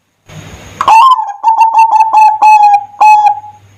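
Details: Zebra dove singing a lure phrase meant to draw other doves into song: a sharp opening note, then a quick chain of clipped level coos slowing toward the end.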